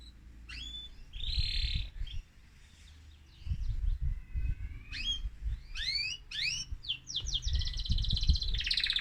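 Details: Male mosaic canary in an excited state, singing to stimulate other birds: scattered chirps and a buzzy burst, then steeply rising notes and a fast trill at the end.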